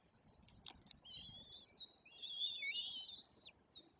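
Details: Nestling white-tailed eagles almost three weeks old being fed by their parents at a forest nest in Bory Tucholskie, Poland; a dense run of high, quavering, slurred whistles overlapping one another, with a few faint clicks.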